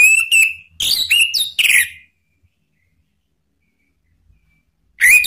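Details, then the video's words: Male orange-headed thrush in ngeplong style, used as a lure and singing therapy: a loud run of varied whistled and slurred notes over about two seconds, a long silence, then a fresh whistled phrase begins. "ANIS MERAH JANTAN SPONTAN ikut NYAUT NGEPLONG"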